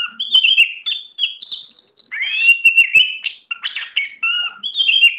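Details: Oriental magpie-robin kept tame, singing: sweet whistled phrases with a low steady note beneath, a rising slurred whistle and rapid chattering passages, brief gaps between bursts.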